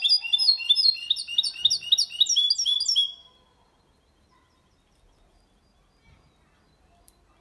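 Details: Goldfinch × canary hybrid singing the Malaga copy cleanly, to stimulate females and teach young goldfinches; about three seconds of fast, high, repeated twittering phrases, then quiet.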